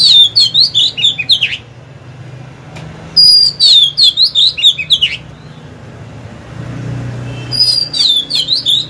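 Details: Oriental magpie-robin used as a decoy, singing to draw rival birds to fight; bursts of fast, varied whistles and sharp chirps, each lasting about two seconds and separated by pauses, with a faint low rumble beneath.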